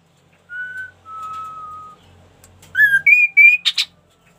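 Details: An ashy tailorbird whistles twice, a short note and then a longer even one, then bursts into three ringing rising notes followed by three harsh buzzy pulses. A low hum sits underneath.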